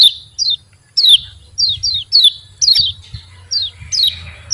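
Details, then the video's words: Javan white-eye chirps played as a lure so other white-eyes start singing: high, falling chirps in ones and twos, spaced roughly a second apart over a low background hum. "CIAK JOS KECIAL KUNING BIKIN KECIAL MALAS BUNYI EMOSI IKUT GACOR"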